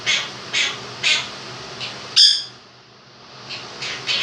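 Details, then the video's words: Male Quaker parrot, two years old, kept as a pet, singing part of 'If You're Happy and You Know It': rhythmic squawky notes about every half second, a loud sharp accent, a short gap, then quieter notes, fan humming behind. "Quaker Parrot sings 'Happy And You Know It'"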